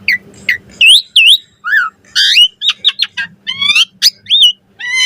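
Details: Asian pied starling song with full variation, recorded as training material for starlings: loud rising and falling whistled slurs, squawky bursts and quick clipped notes in an irregular sequence, over a faint low hum.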